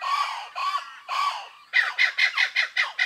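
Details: Wild blue-winged kookaburras in the woodlands of Kakadu and Arnhem Land, northern Australia, giving their angry-sounding cackles. Three drawn-out, grating squawks give way to a quick run of short, harsh, evenly spaced barks, about five per second.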